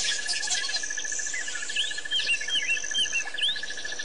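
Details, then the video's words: White-fronted bee-eaters, Pete's Pond, Botswana, 10/9/07. Quick upslurred and downslurred squeaky notes, several per second, come from more than one bird over a constant pulsing insect trill and a high insect tone. "White-fronted Bee Eaters"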